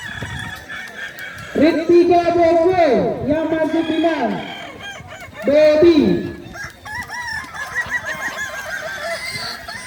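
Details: Balenggek roosters compete in crowing at Danau Bawah, Solok, on 6 October 2024; a long multi-step crow runs for about two seconds, followed by a shorter one, amid a background chorus of other cocks.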